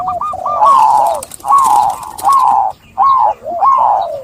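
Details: Zebra dove song of rolling, slurred coo phrases, each falling at the end, repeated about every 0.8 seconds with brief pauses.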